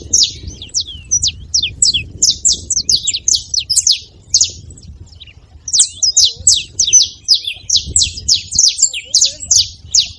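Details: Saffron finches calling at a feeding station, a dense stream of short, sharp high-pitched chirps that pauses briefly midway, then resumes in fast overlapping runs; soft low background hum.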